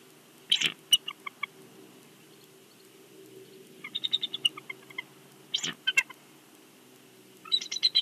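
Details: Bald eagle on a nest in Big Bear, captured by a live nest camera: repeated bouts of high, thin piping, each a sharp opening note followed by a fast, descending stutter of chirps, four bouts in the stretch.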